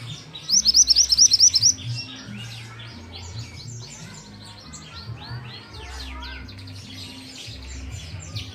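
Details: Pied bushchat, a young bird in song training, opens with a loud rapid run of about ten sharp rising whistles, then falls back into a busy background of softer chirps and twitters with a faint low drone.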